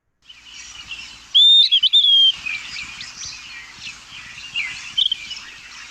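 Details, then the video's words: Puerto Rican Flycatcher in the San Juan Bay Estuary, Puerto Rico, giving one variation of its loud call: a high, slurred whistle with a wavering, falling tail, followed by softer chirps over faint background noise. "The Puerto Rican flycatcher, we could hear here one of the variations of its call."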